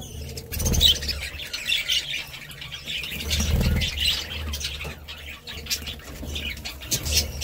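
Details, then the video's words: Budgerigars chattering in a busy stream of quick high chirps and warbles, with brief squawks and a low rumbling hum that swells at intervals. "Budgie Sounds"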